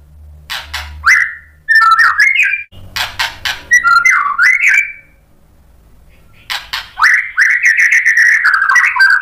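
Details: White-rumped shama provoking rivals with fill-in phrases: sharp clicking ticks mixed with bending whistles, a short silent gap, then a long wavering whistled warble.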